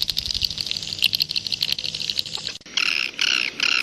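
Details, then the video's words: Swiftlet sound of the style called jaguar: dense buzzy chirps run for about two and a half seconds, then three loud, harsh buzzy bursts follow after a short break. "SUARA WALET jaguar BURUNG WALET"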